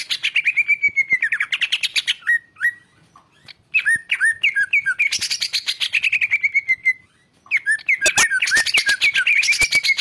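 Greater green leafbird in three bursts of fast, chattering song: rapid clicking notes laced with sweet whistles that slur downward, separated by brief pauses.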